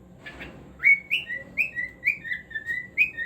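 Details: Cockatiel singing a rising opening whistle, then a steady series of about eight slurred, downward-bending whistled notes, roughly three per second, after a short rustle.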